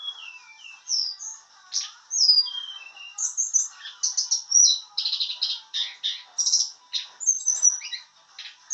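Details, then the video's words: A White-browed shortwing still learning its trilling song delivers a busy run of high whistles and slurred notes, followed by a fast sequence of short, dense chattering bursts in quick succession. "Burung Tledekan gunung belajar ngeroL"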